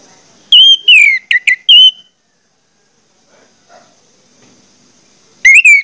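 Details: Song of an orange-headed thrush as a lure to make others sing: a quick phrase of four or five rich whistled notes with downward slurs, then several seconds of quiet before another whistled phrase begins.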